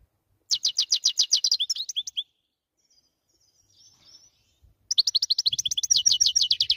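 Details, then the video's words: Goldfinch song: two bright bursts of fast, high twittering notes, each run of sharp chirps repeated rapidly before a short pause, with a faint trill in the quiet gap between them. "Best song goldfinch"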